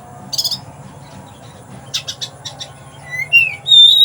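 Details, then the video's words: Oriental magpie-robin kept in a cage in Palembang, Indonesia, singing in sparrow-imitating style: a buzzy note, a quiet gap, a run of raspy chatters, then rising whistles ending on a strong clear whistle. "Kacer rasa gereja"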